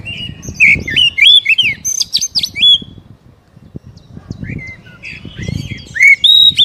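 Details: Oriental magpie-robin (kacer) song used to stimulate a captive bird to sing: two bursts of loud, varied whistled phrases sliding between mid and high pitch, with rapid chirps and trills, separated by a quiet gap.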